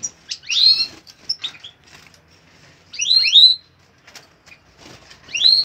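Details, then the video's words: Major goldfinch recorded in 2016 giving liquid twittering song: clusters of rising, sweeping chirps separated by quiet gaps of one to two seconds, with faint soft notes between them. "Major goldfinch"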